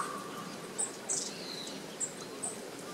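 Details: Long-tailed tits, a flock moving through trees that came down to drink water, photographed 8 December 2012 with Japanese tits present; one gives four thin, very high, brief call notes at uneven intervals over a soft background hiss.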